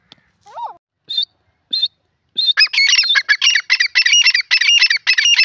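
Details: Grey francolin in a jungle: a few short separate notes, then a fast run of shrill, harsh, buzzy multi-note phrases repeated without pause to the end.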